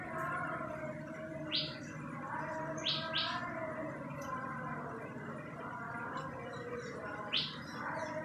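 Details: Common tailorbird (Orthotomus sutorius), call.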